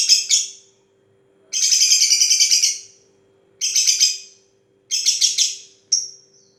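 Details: Long 'ngetik' chatter from a lovebird: dense rapid trains of high ticking chirps in bursts of one to one and a half seconds, separated by short pauses, over a low constant hum.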